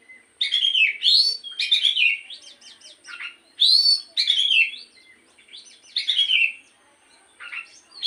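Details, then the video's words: A morning lure (pancingan) song of the Oriental magpie-robin: loud, varied whistled bursts with sweeping downslurs and chattering notes, then quieter twittering between the phrases. "pancingan Kacer di pagi hari agar burung Kacer rajin bunyi dan cepet gacor"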